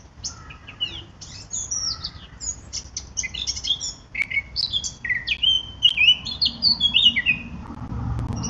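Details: Eurasian blackcap song: a long, rambling warble of rapid twittering notes building into louder, richer whistled phrases toward the end, with faint low background noise.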